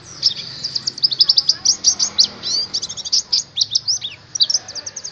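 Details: Oriental white-eye lure song for training caged birds to sing eagerly; a continuous run of very high, quick, sharp chirps and trills in close succession.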